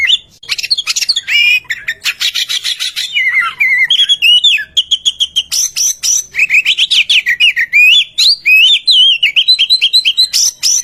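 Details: Oriental magpie-robin song used as a lure to set other magpie-robins singing: rich, varied whistled phrases mixed with rapid buzzy rattles and sharp chirps, delivered in fast continuous bursts with brief pauses.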